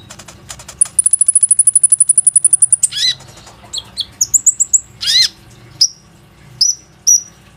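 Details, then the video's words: Plain-throated sunbird lure song, used to coax other sunbirds to sing, phone-recorded: a long, even trill of very high ticking notes, then sharp downslurred squeaks and clipped thin whistles repeated at short intervals. "PANCINGAN KONIN GACOR INI PANDAI MEMANCING KOLIBRI NINJA LAIN AGAR IKUT RAJIN BUNYI"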